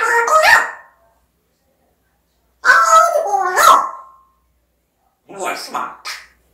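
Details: African grey parrot mimicking human speech in three separate bursts of harmonic, word-like syllables with gliding pitch, the last one softer.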